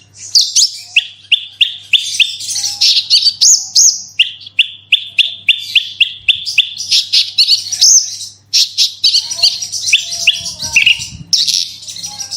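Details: Long, fast 'gacor' bout from a Horsfield's bushlark, played to draw song from other bushlarks: runs of repeated sharp chirps alternate with dense high twittering and whistled slurs, nearly continuous, over a faint low hum.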